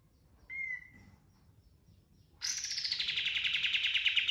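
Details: Pied triller delivering a clear level whistle, then a silence before an intense rapid rolling trill that begins high and settles slightly lower, pulsing steadily for about two seconds.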